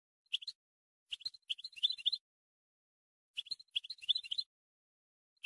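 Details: European goldfinch song meant to train young birds, 2020, heard quietly: scattered tinkling chirps and short twittering runs in bursts, separated by brief silences.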